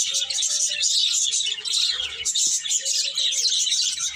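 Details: Numerous birds tweeting loudly and continuously, a thick wall of high-pitched chirps with faint low hums underneath and a brief tap midway.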